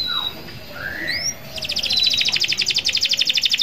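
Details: Canary song of long rolls used to call rivals: a few scattered soft whistles and a rising slur, then from mid-clip a loud, fast, even trill of bright notes continuing to the end.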